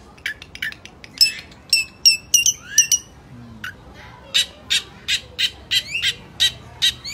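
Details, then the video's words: Lively long-tailed shrike singing with varied phrases: quick scratchy chips, a few clear whistled notes that slur upward, then an evenly spaced run of loud harsh chirps. The background is quiet. "cendet gacor"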